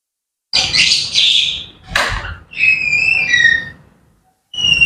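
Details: Grey parrots in the morning give two rough, noisy squawks, then a clear whistled phrase with bright overtones that dips slightly and fades, ending with a further squawk.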